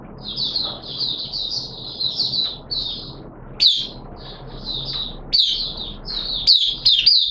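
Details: Oriental white-eye, a caged hobby bird, in wet weather on 6 September 2022: soft high warbling phrases punctuated by sharp, louder chirps, the song growing livelier in the final seconds over a low background hum.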